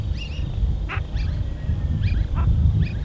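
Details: Brazilian teal, known as pé-vermelho, gives short, high, double whistled notes in pairs, mixed with brief harsh nasal bursts, over heavy low rumbling background noise.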